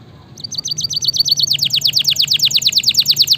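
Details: Canary song used as master and stimulation audio for lazy canaries: a brief quiet start, then a row of rapid high chips, switching to a loud trill of steep downward-sweeping notes repeated about three times a second.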